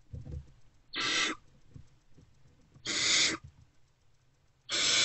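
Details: Three harsh, breathy screeching hisses from barn owlets in a nest box at night, 2 March 2024, spaced roughly two seconds apart, with faint rustling between them.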